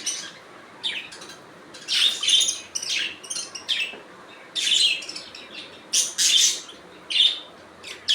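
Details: Natural budgie sounds: short raspy chirps and squeaky warbling notes in irregular bursts, several clustered close together then pausing, high and buzzy with a few sharper whistled tones.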